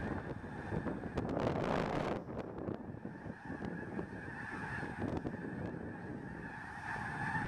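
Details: Snow Geese by the tens of thousands taking flight from a field near Freezeout Lake, Montana, during spring migration; a burst of roaring wingbeats and wind near the start, giving way to a dense, rapid honking chorus.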